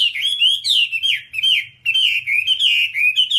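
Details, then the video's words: Continuous Whambie song from a tutor recording for caged birds: rapid, rolling whistled notes sliding up and down, in clustered bursts with brief pauses, faint low hum behind. "Masteran Whambie nonstop 1 jam"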